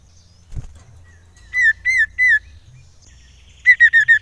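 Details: Common iora, a lure recording for stimulating other birds: three clear downslurred whistles spaced evenly, a short pause, then a quicker run of four similar whistled notes.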